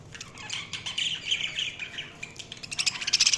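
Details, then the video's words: Budgies chatter continuously with buzzy warbles and chirps, growing into a run of quick, sharp, rhythmic chirps toward the end. "Budgies Sounds| Budgies Chirping sound"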